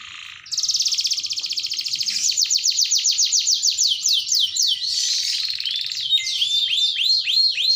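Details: Panda canary in vigorous, long rolling song: after a brief buzz, a fast rattling trill of repeated high down-slurred notes, nearly four per second, running on and shifting into broader swooping sweeps.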